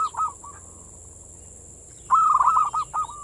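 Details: Zebra dove in manggung song, meant to lure and excite local doves: a short cooing phrase, a quiet gap, then a louder run of rapid rolling notes ending in two separate coos, over faint background hiss.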